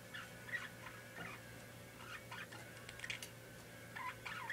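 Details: Pet parakeet making soft, scattered chattering chirps and clicks throughout, unevenly spaced, with a steady low background hum.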